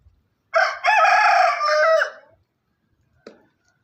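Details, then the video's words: On a farm, a rooster gives one loud, drawn-out cock-a-doodle-doo lasting nearly two seconds, a brief dip near its start, then a short faint sound a second later. "Rooster sound effects Rooster crowing"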